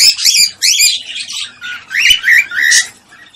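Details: Cockatiel mating call meant to stimulate breeding: loud harsh squawks followed by upward-sweeping whistled notes, several in quick succession with short breaks.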